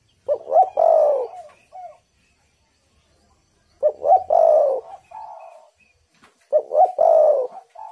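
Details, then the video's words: Spotted dove used as a lure to make wild doves call, giving three loud coo phrases about every three seconds, each a short stuttered note, a rising note and a long wavering falling coo, with softer answering coos between. "tekukur super gacor burung Liar pasti emosi"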